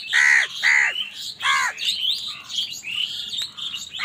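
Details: Crows squabbling over food: two loud, hoarse caws in quick succession, a third after a pause, then mixed squawks and high chirps from the flock.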